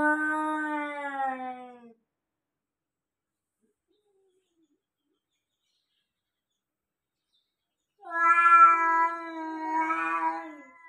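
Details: An African grey parrot copying a cat: one falling meow, about six seconds of silence, then a longer, louder warbling meow with a wavering tone.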